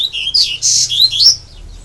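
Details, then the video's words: Caged double-collared seedeater, a male kept as a songbird, singing a short burst of high, sweet warbled notes that slide up and down before fading away. "Coleiro Gregório"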